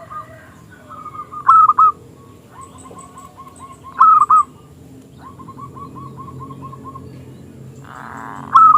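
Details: Zebra dove song from a local bird with a small crystal voice, meant to draw rival doves into singing: loud clipped coo phrases every two to three seconds, soft rolling note runs between, and a brief rustle near the end.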